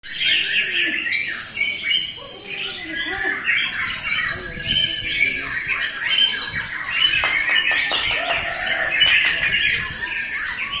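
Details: White-rumped shama (murai batu) singing a dense, rich, varied stream of whistled and chattering phrases, notes jumping quickly in pitch with sharp clicks throughout, hardly pausing across the whole stretch.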